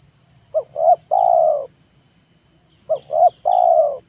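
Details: Tekukur (spotted dove) lure bird in the afternoon, giving two cooing phrases about two and a half seconds apart, each a pair of brief rising notes and one long even coo. A thin steady whine runs through.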